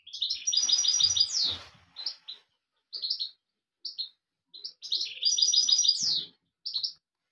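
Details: European goldfinch song with two rapid, rippling trills each closing in a steep downslurred note, linked by short tinkling twitter phrases spaced about a second apart.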